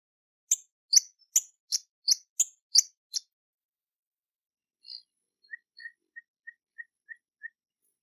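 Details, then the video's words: Hummingbird from a collection of hummingbird sounds: eight sharp, high chips in quick succession over about three seconds, then a pause, followed by a series of six softer, lower, evenly spaced short notes. "Sonidos de Colibries - COLECCION SONIDOS DE COLIBRIES - Hummingbirds Sounds"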